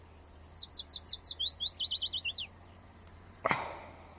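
A Willow Warbler sings a sweet, descending cascade of about fifteen soft whistled notes that ends in a brief flourish. A sharp knock follows.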